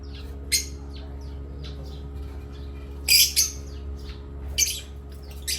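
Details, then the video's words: Parrots from Asia at play, chirping: scattered short harsh squawks and softer high chirps, with a pair of loud rasping bursts midway, against a steady low hum. "playtime with Parrots Chirping"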